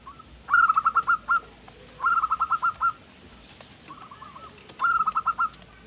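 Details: Local zebra dove (perkutut) singing strongly, used to lure wild forest birds: four phrases of rapid, bubbling, evenly spaced coos, each about a second long, roughly every 1.5 seconds, with faint clicks and background hiss.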